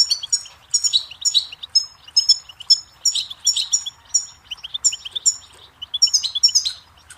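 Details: Goldfinch song rich in liquid twitters and buzzy trills, phrases tumbling out in quick succession with brief breaks, with no competing sounds.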